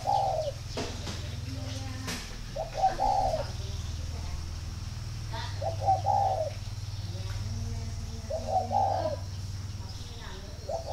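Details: Spotted dove from a breeding garden in Ba Vì, northern Vietnam, giving calls that signal readiness for pairing: four hollow coo notes about every two to three seconds over a steady low mechanical hum.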